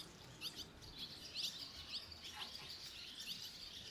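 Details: Fledging barn swallow young, a brood of five leaving together as chicks from neighbouring nests gather; sharp high twitters come in clusters about every half second against a noisy outdoor background.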